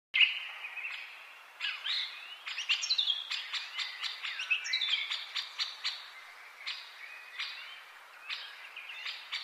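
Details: Pet green Indian ringneck parakeet, kept at home, while playing: a busy run of sharp chirps, clicks and short squeaky whistled notes, irregular and repeated throughout, some rising and falling, with no other clear sounds.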